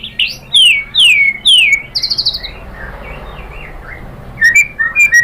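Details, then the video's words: White-rumped shama song used as a lure to provoke a rival into singing: loud, clear whistled notes sweeping downward, several in quick succession, a buzzy higher phrase, then softer chirps after a pause. "Pancingan MURAI BATU bikin EMOSI NYAUT GACOR BONGKAR MATERI ISIAN"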